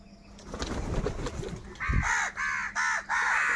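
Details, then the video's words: Crows competing for food: rustling and scuffling noises first, then four harsh, evenly spaced caws in rapid series. "crow bird live crowing sounds | Crow bird Fight for Food"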